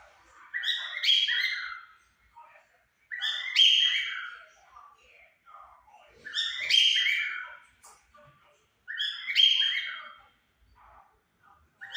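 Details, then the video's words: Cockatiel pair, white and yellow, singing at 5 pm: four strong, buzzy warbled phrases repeating roughly every three seconds, with soft chatter filling the gaps. "casal de calopsitas cantando às 17hs"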